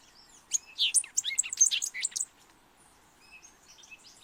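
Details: Thick-billed euphonia song from Colombia, used for calling birds: a dense burst of about two seconds of high, varied chattering notes, sharp chips and short whistled slurs in quick succession, then quiet with a few faint distant notes.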